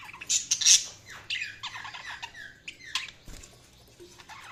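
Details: Budgies chattering in a quick, varied run of high chirps, short squeaky notes and falling whistles that fade toward the end over a faint low hum.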